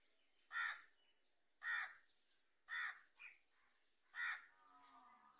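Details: Crow in the early morning: four harsh, nasal caws about a second apart, each a short broad burst, with a faint softer note between and a quiet background.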